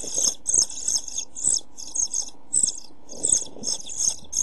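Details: Pied flycatcher nestlings begging inside a nest box amid food shortage and heat, on 27 June 2013: high, harsh hissing bursts in quick irregular runs, some joined into longer rasps, with faint low knocks and shuffling beneath.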